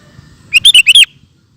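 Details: Brief ropel burst from a sooty-headed bulbul: four to five loud, clear whistled notes in quick succession, slightly warbling up and down, ending abruptly.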